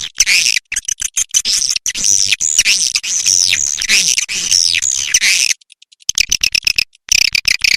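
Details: Swiftlet lure sound for calling birds, free of noise: fast, high-pitched chattering and buzzy twitters in long runs, a short silent break, then renewed rapid chirping.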